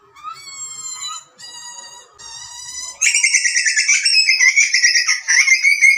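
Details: Wild Australian butcherbird chick being fed by its parents: drawn-out harmonic wails, then from the halfway point a loud continuous buzzy rasping scream.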